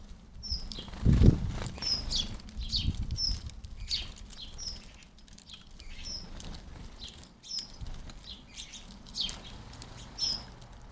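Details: House sparrows visiting a garden bird feeder: a run of brief, high, evenly spaced chirps with softer cheeps between, plus a few knocks and patter early on.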